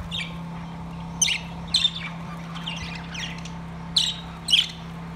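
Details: Caged budgies singing: sharp, high squawking chirps in short clusters about every half second to a second, some with a slurred downward twist, over a low steady hum.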